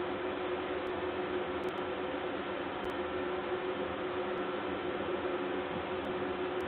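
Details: Steady broadband hiss and hum cut off above the midrange, with a few sharp high clicks scattered through and no animal voice.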